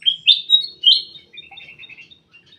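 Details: Ruby-throated bulbul kept in a private aviary: four loud, fluty whistled notes in quick succession, followed by a quieter run of fast repeated chirps that fades away.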